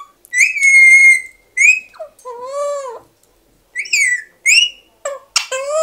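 An Alexandrine parakeet whistles in short bursts: bright, ringing notes, some held level, others rising or sliding down lower, with brief pauses between.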